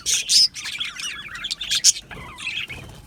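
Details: Australian budgerigars in an aviary, two strong shrill squawks opening the recording, then softer chattering twitters and a few more piercing chips, fading toward the end.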